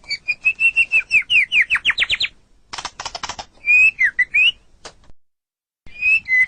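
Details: White-rumped shama song for tutoring captive songbirds: a rapid series of whistled notes that climb and speed up, a raspy burst, then further rising and falling whistles after a short silence.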